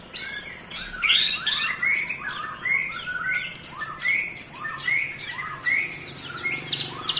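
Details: Song of a white-rumped shama, played to agitate other shamas: repeated bright upward-sweeping whistles roughly every second, woven with chattering high notes and varied phrases throughout.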